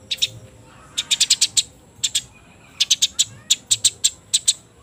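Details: Wet Eurasian tree sparrows in a fight near dusk give clipped, bright chirps, singly and in quick runs of three to five, with brief gaps between bursts; a low background hum persists.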